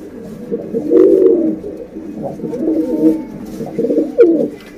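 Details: Female domestic pigeon calling to a male, used as a lure sound: low, throaty rolling coos in bursts with brief pauses, and a few faint higher clicks.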